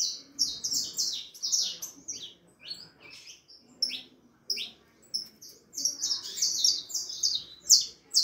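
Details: Harlequin saffron finch youngster, four and a half months old, singing intensely in phrases of quick high chirps and buzzy trilled notes, broken by short pauses, with the bursts growing louder and denser toward the end.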